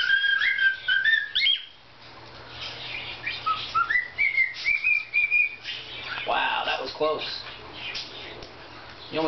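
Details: A pet cockatiel (Nymphicus hollandicus) whistles the learned tune 'If you're happy and you know it', picked up from another bird's video, in clear stepped notes, a little off tone.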